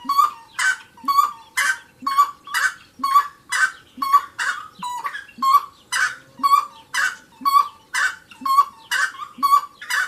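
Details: Wood rail (saracura) in full song: around sixteen harsh, honking cackle phrases over ten seconds, evenly spaced, each paired with a soft low grunt, close and clear on a silent background.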